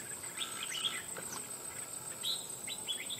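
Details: Wild-caught red-whiskered bulbul, a stubborn bird trapped after nearly two months, now caged and described as singing readily in a loud, bell-like voice; fairly faint short warbled phrases, with a high insect-like hiss and a steady low tone behind.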